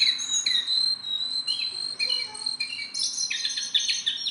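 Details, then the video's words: A tame Sunda bulbul sings a long steady high whistle, broken by short descending slurs, before shifting into a quick, crowded series of bright chirps toward the end. "BURUNG JONGKANGAN GACOR TELER JINAK PETETAN"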